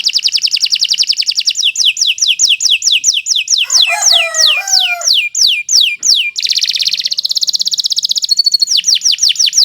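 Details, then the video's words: Kenari Nusantara canary singing long and continuously, suitable as a tutor recording. Rows of fast, high downslurred notes repeated in tours, then a buzzy mixed passage and a dense rattling trill, ending in quick descending whistles. "Kicau Burung Kenari 173 II LUAR BIASA GACOR PANJANG"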